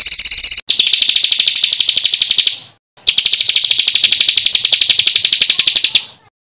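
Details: Songbird master recording with rough rolling material for training contest birds: a loud, harsh, rolling buzzy trill of very rapid notes held for several seconds, broken by one short gap.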